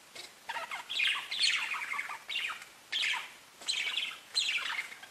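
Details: Pet budgerigars chirping, kept as cage birds; bursts of warbling, descending chirps in the upper register come in clusters about every half second to a second, with short quiet gaps between them.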